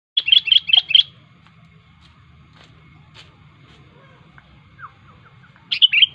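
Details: Sooty-headed bulbul in the wild, singing vigorously with a sharp song that calls rivals: four quick bubbly, warbled phrases in a row, then quiet, then more fluty phrases at the end, over a faint low hum.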